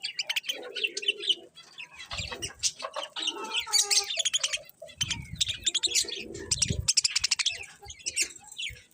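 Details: Colourful budgerigars chirping steadily, dense overlapping high warbles and clicks with a few lower muffled knocks in the background.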